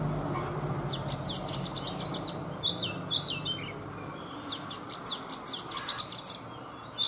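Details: Caged Oriental magpie-robin, a wild-caught adult kept three seasons in a cage, singing in the morning: bursts of high, sharp whistled notes and quick rattling trills, pausing mid-clip before another dense run of chips and slurred whistles.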